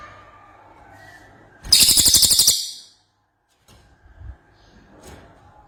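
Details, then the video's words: Short gacor burst from an ashy tailorbird: a brief, fast trill of sharp high notes lasting under a second, then quiet with a few soft clicks and faint background chirps. "Cililin Gacor"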